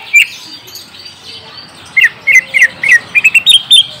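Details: A green leafbird sings as a lure for a young untrained bird: one loud note, a pause, then a brisk run of chirpy, bouncing whistles that climb slightly toward the end.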